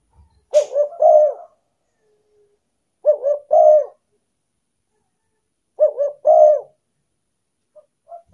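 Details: Spotted dove lure call to attract wild doves: a phrase of two quick wavering notes and a longer coo, repeated three times about every two and a half to three seconds.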